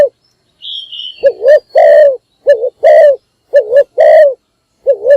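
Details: Decoy spotted dove calling in the morning to attract wild doves: a faint high whistle at the start, then a steady run of deep, hollow coos alternating wavering double notes with longer drawn-out ones.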